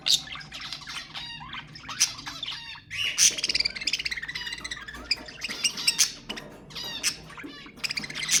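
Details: Budgerigar chatter meant to encourage breeding: dense, continuous warbling with rapid chirps, buzzy harmonic notes and squeaks from several overlapping voices, growing busier after the first few seconds.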